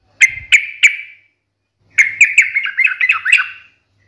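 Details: Three ringing chirps from a yellow-vented bulbul, followed after a gap by a tumbling string of bubbly, slurred notes, part of a sharp fighting-style song used to trigger other birds to answer.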